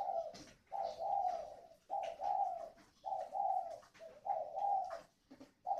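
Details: Decoy spotted dove, 'còi' voice, northern Vietnam near Hanoi, cooing in an even series of paired low notes about once a second, with light clicks and knocks between phrases.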